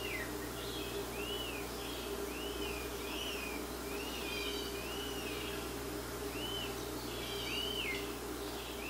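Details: Rose-breasted grosbeak chick, being fed by its mother in Quebec, begging with thin, arching whistled notes about every half second, rising and falling, over a steady low hum.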